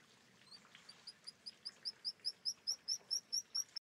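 Black guillemot giving a fast series of thin, high, piping whistles, about four per second, swelling louder as they go; faint background hiss.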